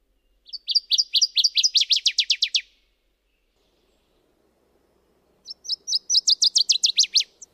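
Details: Two bursts of rapid, high chattering from a Subalpine warbler (Sylvia cantillans), each about two seconds long and accelerating, separated by a pause of roughly three seconds.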